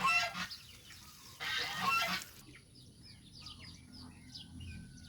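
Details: Geese, young and adult, eating fresh grass by a pond on a countryside farm. Two loud, rough honking bursts fill the first two seconds, followed by soft, high, scattered chirps over low hum.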